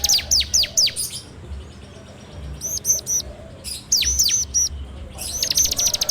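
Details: Bar-winged prinia lure song in 'ngebrem' style, recorded on an Android phone: loud downslurred notes, then short bursts of high chips, closing with a rapid rattling trill.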